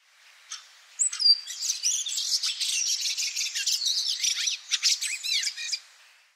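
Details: Fieldfare (Turdus pilaris) song: a fast, unmelodious jumble of creaky, harsh squeaks and chatters without clear order, with almost no pauses and no fluty whistles.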